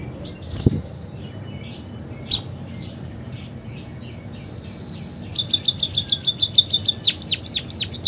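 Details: Munia with canary-imitation song: a quiet start with scattered faint chirps, then a rapid rattle of high notes breaking into a run of sharp, falling whistled sweeps near the end.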